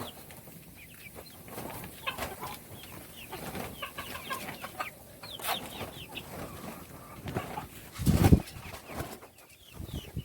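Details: Chicks eating their meal keep up a busy chorus of thin, falling peeps, with pecking taps and a heavy low thump near the end.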